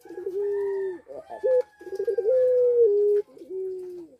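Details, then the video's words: Puter pelung dove kept in a breeding aviary at Sukorejo, in breeding condition: three drawn-out coos, each opening with quick bubbling notes and ending in a gentle downward slide. "Puter Pelung Gacor Birahi | Pancingan Puter Pelung Cepat Birahi"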